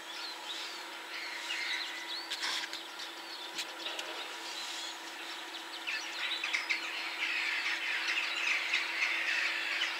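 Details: A pair of Syrian woodpeckers, the female on a tree and the male flying in, give harsh, squawky calls in scattered bursts that become a denser, higher chatter toward the end, over a faint steady hum.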